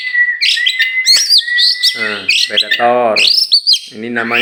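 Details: Tame champion oriental magpie-robin from Meulaboh, Aceh, let loose before being caged, sings sweet whistled phrases, including a long steady note, interrupted by a man's voice speaking several times.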